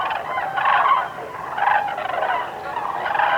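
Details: A flock of common cranes (Grus grus) in Tierra de Campos, Zamora, Spain, on autumn–winter migration gives loud, rolling trumpeting calls in overlapping bursts about every second, building into a continuous clamour.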